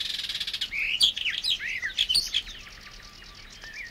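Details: In water-meadows and coastal pastures at Matsalu, a Barred Warbler sings a hurried, scratchy warble of chattering notes and brief clear whistles, mostly high-pitched, with quieter twittering fading toward the end.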